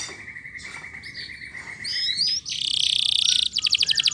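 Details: Canary song meant to coax silent or lazy canaries into singing and to tutor young canaries two to four months old: steady repeated high peeps, then a warbled phrase, a dense buzzing trill and a pulsing rapid rattle.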